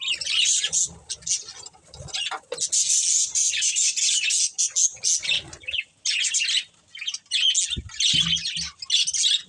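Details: Budgerigars, a breeding pair, chattering in long bright bursts of high warbled chirps separated by short silences, with occasional low thumps.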